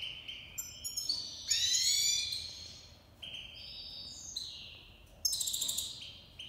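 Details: Tamed Iranian goldfinch, Himalayan and black-headed cross, singing in breeding season: quieter high twittering phrases with buzzy trills and sweeping notes, broken by short gaps over a faint hiss.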